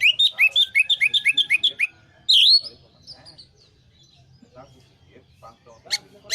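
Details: Orange-headed thrush song played to coax stressed birds that have gone quiet into singing. It opens with about ten fast, evenly repeated whistled notes, then one strong upslurred note, followed by quiet with faint scattered clicks.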